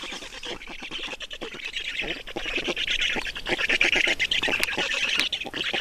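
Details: Black storks in Estonia during feeding at the nest: a dense run of harsh, rasping squawks at an uneven rhythm of about 85 a minute, growing louder toward the end with no other clear sounds.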